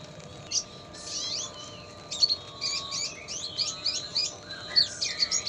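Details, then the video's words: Red siskin, recorded as a hard-working singer for tutoring songbirds and mixed with lovebird sounds: scattered high twitters and slurred, warbling notes with sharp chirps, irregular and lively, over a low steady hum. "MASTERAN RED SISKIN PASTOL RAJIN BUNYI,ISIAN SUARA LOVEBIRD."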